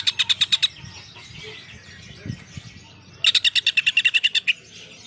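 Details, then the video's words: Greater green leafbird singing with prinia song mixed in: rapid trains of sharp, evenly spaced chipping notes at the start and again later, a longer run of about a dozen notes, with soft twittering between. "cucak ijo gacor isiannya burung prenjak"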